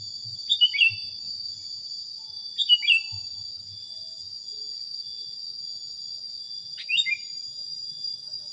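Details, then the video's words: Sooty-headed bulbul in a training recording for cage birds: three short, slurred chirpy phrases, each dropping in pitch, spaced about two to three seconds apart, over a steady high insect drone. "suara masteran kutilang"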